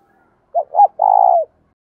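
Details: Single spotted dove coo used for training wild-caught doves: a pair of brief mellow notes leading into a long, steady, vibrating note that dips at the close, in a quiet setting.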